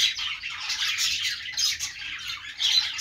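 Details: Budgies chatter in a dense wall of high chirps and warbling twitters, swelling and dipping in loudness, with a brighter burst at the end.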